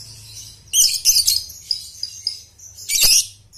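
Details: Lovebird trilling (ngekek) used to train young birds: a burst of harsh, high chattering notes, scattered squeaks and a final rasping flourish over a low background hum.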